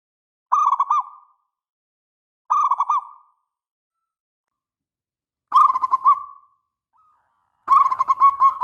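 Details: Local perkutut or zebra dove song meant to prompt other doves to answer: four rolling coo phrases, the first two short and alike, the later ones longer with a drawn-out trailing note.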